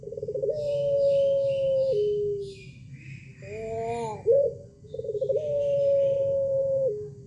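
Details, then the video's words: Pelung rooster gives long, drawn-out crows: held, even notes of over a second with a brief arched, rising phrase between, over a low hum and faint small-bird chirps. "Puter Pelung Anda Pasti Ikutan Bunyi Saat Dengar Suara Ini"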